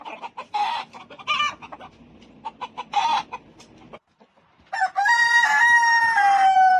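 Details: Rooster on a chicken farm, one of many different crowing birds recorded there. Several seconds of short, uneven clucking notes, then a brief pause, then a loud, drawn-out crow of about two seconds, rich and harmonic, ending on a gently falling tone.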